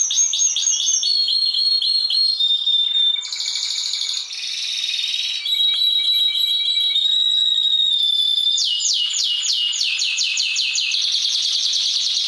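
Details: Canary in rolling song, meant for training other songbirds, moving through varied high buzzy rolls, clear steady whistled notes and dense fast trills without pause.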